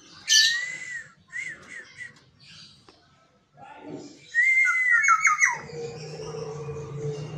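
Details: Black-naped Oriole kept in a cage at home gives a harsh high squawk and short whistles, then a long, flowing whistled phrase, ending over a steady low hum.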